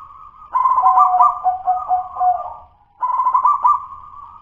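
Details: Zebra dove of local wild stock, song still at the halting dudut-nutut stage rather than smooth and full: quick stammering coos run into a longer purring phrase, a short gap, then a second cooing phrase starts.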